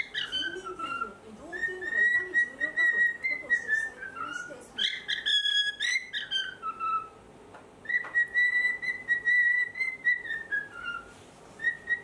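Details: A four-year-old cockatiel singing from a high spot in its morning routine, before its cage is opened, whistles long, clear, sliding notes in two drawn-out, wavering, falling phrases. Soft murmuring and a few clicks sit underneath.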